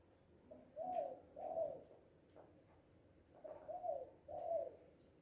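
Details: Spotted dove, known locally as Tekukur, Balam or Anduhur Bolon, calling loudly in a happy mood: a pair of mellow coos, a short pause, then the same pair repeated, over a low hum.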